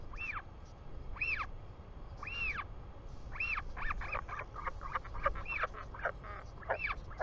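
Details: Royal albatross chick calling as its father returns, New Zealand, 24 July 2020 around 4 pm: arched whining calls spaced about a second apart, building into a quick excited run of squeaks, wind behind.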